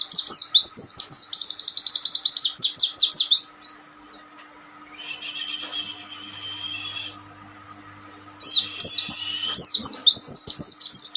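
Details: Master song of the Oriental white-eye, suited to untrained birds: a long, dense, high-pitched run of quick rising-falling chirps, then a pause with soft buzzy noise, then more rapid twittering notes.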